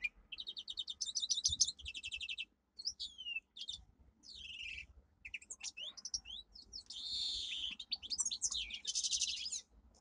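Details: Pet domestic canary delivering a powerful training song: rapid pulsed trills, sharp downslurred whistles, buzzy rolls and fast chattering phrases flowing without pause over ten seconds.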